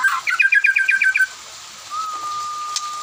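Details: White-rumped shama in afternoon song, other birds answering: a quick burst of about seven sharp repeated notes, followed by a long, steady, level whistle-like tone.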